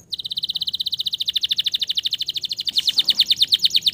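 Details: Male canary trilling to encourage stressed, silent canaries: a long, rapid, steady trill of repeated notes that grows louder and fuller toward the end.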